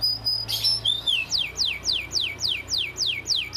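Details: Canary master recording for training: after a brief harsh burst and a short whistle, a steady series of about nine clear descending whistled notes repeated rapidly, each sliding from high to lower pitch.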